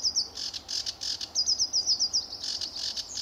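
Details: Sedge warbler singing energetically on an early July morning at RSPB Fowlmere, 2013; rapid chattering phrases with a run of sharp, evenly repeated high notes in the middle.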